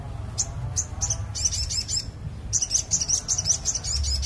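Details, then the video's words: Crested jay, a lively calling bird, in a recording used to lure birds: bright, high, sharp chirps, first spaced singly, then a fast run of about a dozen evenly repeated notes, over a low background rumble. "SOGON GACOR PIKAT BURUNG"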